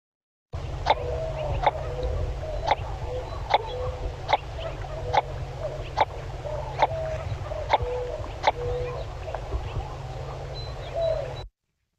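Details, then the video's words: Northern Shoveler, a Midwest US waterfowl, giving its characteristic popping call: short, hollow popping notes roughly one a second, with soft low clucks between them over a steady low hum. "So you can see it's got that real kind of popping type call."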